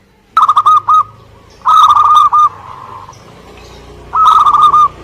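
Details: Local Indonesian zebra dove singing vigorously: three phrases of quick, rhythmic, clipped coos, the middle one longest, with a faint low drone underneath.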